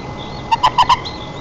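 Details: White-tailed eagle at its nest in Nizhnyaya Kama National Park, Tatarstan, on 4 May 2024 while feeding its chick, picked up by a nest camera: four quick, loud, harmonic yelping notes in an even series, with faint small birds behind.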